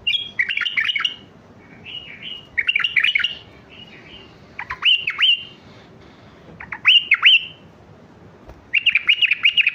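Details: A Mandali bulbul sings strongly to teach young birds: bursts of bright, warbling whistled phrases about two to three seconds apart, some with sharp rising-falling notes, against a quiet background.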